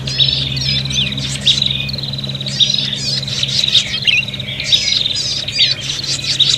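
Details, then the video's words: Agitated prinia fighting chatter used for luring birds. High, rapid chip series and rattling trills overlap without pause, with louder sharp bursts every second or so. A low background hum runs throughout. "suara prenjak pikat ribut tarung"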